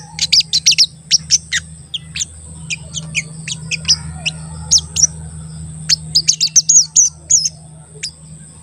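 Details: Crested jay (sogon), a bird in full voice used as a lure to make other crested jays call and get excited, giving very high, thin chirps in quick irregular bursts, sharp 'cuit cuit' notes scattered across the stretch.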